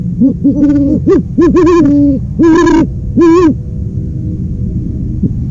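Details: Owl giving a run of low hoots: several quick overlapping notes, then two longer sustained hoots with a slightly wavering tone, followed by a quiet pause.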